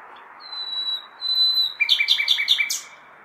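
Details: A nightingale's May-night song in a large city, seemingly shouting for partners: two thin, drawn-out high whistles, then a quick burst of five or six clipped, stuttering notes, set against constant low urban noise.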